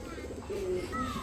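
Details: Pigeons kept on a farm near Ashulia, Savar, Dhaka, among more than 80 birds including Bombay and Lahori breeds with eggs and chicks: a brief low cooing note over murmured voices and room noise, with faint higher whistles.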